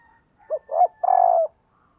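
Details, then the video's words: Spotted dove used as a decoy, calling to attract wild doves: two short low coos followed by one long, steady, slightly falling coo, clean and close with no other sounds. "Tiếng Chim Cu Mồi gáy Mồi Gáy Gọi/ Bổi Nghe Siêng Gáy Và Nhanh Nổi"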